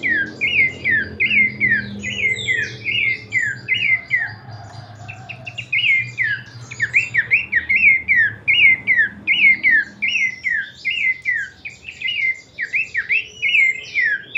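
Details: Horsfield's babbler (pelanduk semak) singing a rich kleperan song: a long run of quick, downward-slurred whistled notes, about one or two a second, some doubled, with fainter higher notes above and a low background hum.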